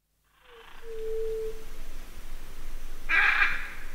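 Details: Hyacinth macaw (Anodorhynchus hyacinthinus) among several calling macaws gives one harsh, grating squawk near the end, after a steady low whistle-like tone, over a noisy background with other birds.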